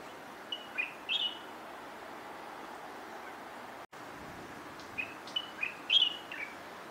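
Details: Taiwan subspecies of the light-vented bulbul in song, giving two separate bursts of bright, slurred whistles. Each phrase runs three to five quick notes, some rising or falling, with a quiet pause between bursts and low background hiss.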